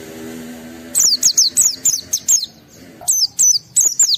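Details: High-emotion white-eye song of the wild-caught style, used to stir other white-eyes: after a quiet opening second, a string of sharp, descending high whistles comes in two rapid runs with a brief gap between.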